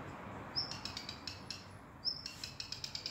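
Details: Unnamed bird singing in Suwałki, Poland: two phrases, each opening with a piercing high whistle and running into a fast series of crisp, dry clicks, heard against a soft continuous hiss.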